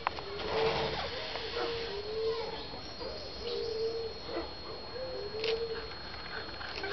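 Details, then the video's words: Frontal courtship display of a satyr tragopan: a series of low, steady hooting notes, about one per second, some slightly rising, over a hissy background with occasional faint clicks. "frontal courtship of a tragopan satyra"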